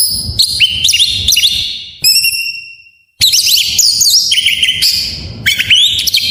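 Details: Oriental magpie-robin with a full varied song, a lure for birds reluctant to sing: dense bursts of sharp whistles and chips, a fading descending note, about a second of silence, then more energetic mixed whistled phrases.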